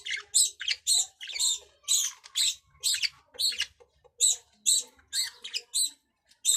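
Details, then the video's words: A budgerigar chatters in a rapid run of short, scratchy, high-pitched squawks and chirps, about two per second, with no other sounds. "Australian bajri parrot|| Australian parrot voice"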